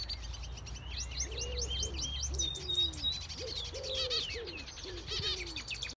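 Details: A male red siskin (Spinus cucullatus), an aviary bird, sings a rapid, high twittering string of buzzy, chattering notes, over low cooing from other birds and a steady background hum.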